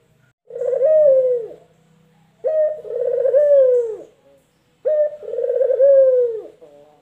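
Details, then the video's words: Male collared dove (puter), local or white variety, cooing three times roughly every two seconds. Each phrase starts with a short note, then a quavering coo that drops in pitch at the end. "PERBEDAAN SUARA PUTER LOKAL JANTAN DAN PUTER PUTIH JANTAN"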